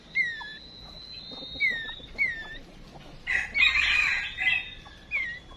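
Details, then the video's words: Songbird (chim chuyền) call used as a female decoy to make males sing: clear whistled notes, each sliding down, repeated about every half second to a second, over a long steady high tone, with a brief burst of busier chatter in the middle. "Chim Huýt Cô Mái Mồi Đấu"Thúc Chim Chuyền Hót Ra Giọng"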